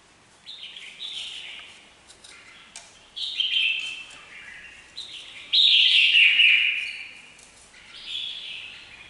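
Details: Red-whiskered bulbul singing steadily: a run of warbled, slightly descending phrases, the loudest a rich rolling burst near the end, gaps under a second between phrases.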